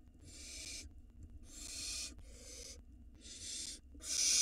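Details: Barn owl nestling at a nest entrance, filmed by a live 4K nest camera in Israel in 2022: four harsh, breathy hissing screeches, each about half a second, separated by short pauses, the last one loudest.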